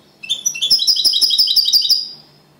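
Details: Second-place champion European goldfinch singing copia Malaga: a quick, bright rattle of evenly spaced high chirps rolled into a trill of under two seconds.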